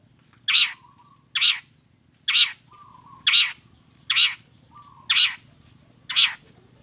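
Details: Long-tailed shrike singing vigorously, from a training recording meant to make other shrikes answer. Harsh, grating bursts come almost every second in a steady run, with faint high chirps between them.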